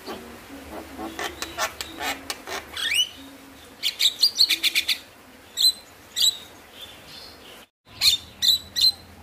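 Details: Javan myna sounds meant to stimulate lazy mynas to sing: a series of sharp clicks and ticks, then rising whistled notes and scattered short chips with brief gaps, over low background hum.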